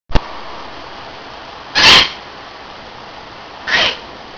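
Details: A pet Hahn's (red-shouldered) macaw sitting on a windowsill gives two short, harsh, raspy squawks about two seconds apart, after a faint click, in an otherwise quiet room.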